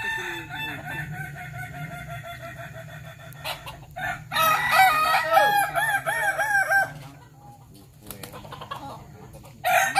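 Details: Kukuak Balenggek chicken at a practice crowing contest, Sawah Lunto: after a stretch of humming background, a loud crow of repeated looping, arched syllables runs for nearly three seconds, then fades; another crow starts at the end.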